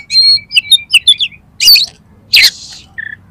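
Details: Oriental magpie-robin song used to trigger a kept bird to sing and spread its tail: clear whistled notes around mid-high pitch, quick chirps, then two harsh buzzy bursts and a short pure whistle.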